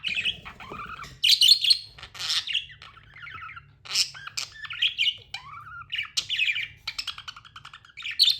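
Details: Budgerigar chatter from tame pet birds: dense buzzy squawks and chirps with a few clear upward-sweeping whistles, the noisy calls coming in quick irregular runs; low hum beneath.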